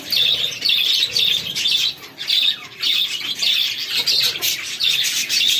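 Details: Chicks of domestic chicken calling while feeding: a continuous busy mass of high peeping, swelling in bursts at a brisk pace with a brief lull near the middle.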